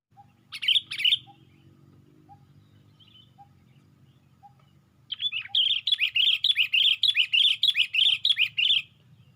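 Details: Sooty-headed bulbul lifting its wings on a branch, recorded as bird-luring sound: two loud bubbly chirps, a pause with faint soft pips about once a second, then a fast run of bright, warbling chirped notes for four seconds.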